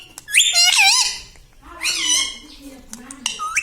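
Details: Indoor talking parrot: a loud, raspy, wavering phrase, a shorter hoarse, rising utterance after a brief pause, then a quick upward squeak. A soft low hum runs beneath.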